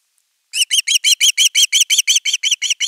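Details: Osprey begging for fish at a nest camera on 10 August 2021: after a short silence, a steady run of about fourteen piercing, rising whistled notes, roughly five per second, with no other sounds.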